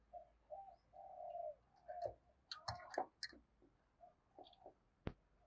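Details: Spotted dove kept as a decoy, cooing to lure wild doves: soft low hooting coos in short phrases, with clattering knocks, a sharp click near the end and faint background hiss.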